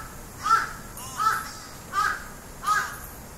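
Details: A crow, startled by its own voice played back from a phone recording, flees while giving four harsh, hoarse caws about three-quarters of a second apart, against a faint background hiss.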